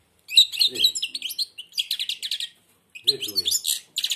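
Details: Blind European goldfinch in a cage, beak nearly closed, delivering rapid tinkling twitters and buzzy rattles in three long phrases, with brief human voice sounds beneath.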